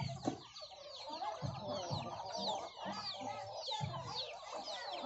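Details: Many hens and chicks feeding on young rice from farmers; rapid high, sliding chick peeps fill the clip, with low thumping pecks and short clucks spaced about half a second apart.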